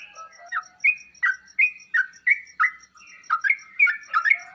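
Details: Sooty-headed bulbul song used to provoke answers from other birds: clear whistled notes, some drawn out, others clipped, delivered in a lively irregular string beside a steady faint ticking.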